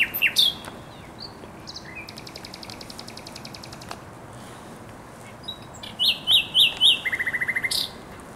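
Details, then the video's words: Thrush nightingale song from the Żerań Canal in April 2022: scattered notes and a soft, distant rattle, then four loud ringing notes and a quick buzzy trill near the end. "Śpiew słowika rdzawego na Kanale Żerańskim"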